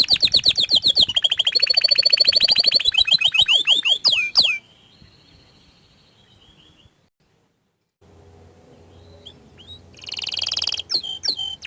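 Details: Orange frost canary singing a dense fast trill that shifts between high rolling phrases and descending sweeps, then a thin fading note, a pause, and a short burst of bright trilling.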